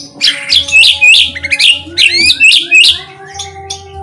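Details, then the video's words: White-rumped shama song used as a lure to get other shamas singing: rapid run of bright, high whistled and chirping notes, tightly packed and varied, over a faint steady low hum. "PANCINGAN MURAI BATU ...KURANG GACOR,,!!,, PASTI NYAUT IKUTAN GACOR"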